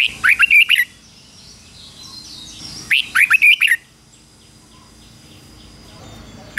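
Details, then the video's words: Red-whiskered bulbul decoy singing to lure rival wild birds: two brisk warbled phrases of rising and falling chirpy notes about two and a half seconds apart, the start of a third cut off, over quiet hiss. "Chào mào mồi hót gọi bổi đỉnh cao chuẩn nhất - chào mào mồi kích bổi về đấu hay nhất chào mào hót"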